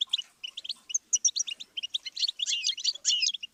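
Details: Goldfinch song meant for song learning: bright chirped notes in quick groups, growing denser and more twittering in the second half.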